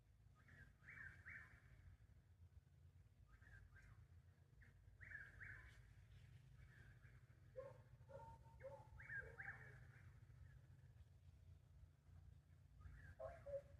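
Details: Chuck-will's-widow at night in a yard by a lake in Ocala National Forest, Florida, calling back and forth with another across the road all night: quick whistled phrase every few seconds; distant dogs bark, possibly riled by a bear, over a low hum.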